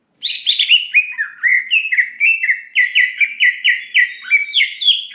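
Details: Singing greater green leafbird, a gacor lure with nembak and isian phrases meant to make listeners respond quickly and emotionally: an unbroken stream of quick, bright, slurred whistles, evenly paced and loud throughout.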